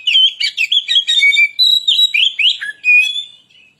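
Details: Kacer (Oriental magpie-robin) lure song to stir other birds: a dense burst of sharp chirps and sweet whistles sung at a rapid pace, a sudden low swooping note, then a long clear whistle that fades away.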